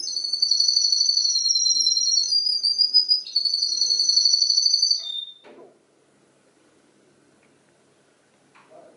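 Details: Canary imitating other birds' songs: five seconds of loud continuous whistled trilling at high pitch that steps gradually lower, ending in a short falling note, then near silence with faint knocks.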